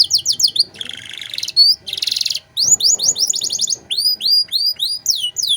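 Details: Canary song for training other songbirds such as magpie-robins: fast descending sweeps, two harsh buzzy rattles, then quick repeated chirping sweeps in a lively continuous stream.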